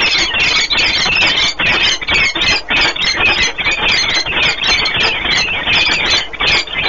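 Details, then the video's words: Peregrine falcon pair bonding at the Orlen Płock nest, Poland, 1 March 2019; continuous fast harsh chattering and squealing, dense and loud throughout. "Sokoły wędrowne Orlen Płock (PL) - 2019.03.01 - Długie spotkanie, wiązania"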